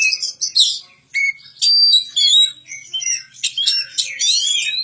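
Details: Oriental magpie-robin song: quick bursts of sharp whistles, chattering notes and slurred high phrases, broken by brief silences, with an irregular rhythm of about two phrases each second.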